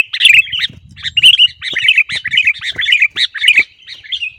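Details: Sooty-headed bulbul song, played as a tutor recording so caged bulbuls sing quickly and often: a busy, continuous chatter of bright, bubbly chirped notes running without pause, with faint low rumble at the start.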